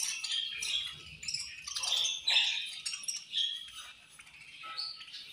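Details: Budgies eating and fighting, producing soft high warbles and short whistled chirps with a few sharper squeaks, fading quieter toward the end.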